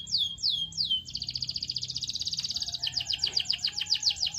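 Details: Singing canary used to stimulate other canaries: three falling whistles followed by a long rapid buzzy trill and a run of loud repeated swept chirps, with faint background noise.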